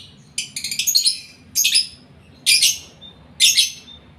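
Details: Lovebird in breeding condition utters short bursts of high, raspy chatter, a stuttering cluster followed by three separate scratchy phrases about a second apart.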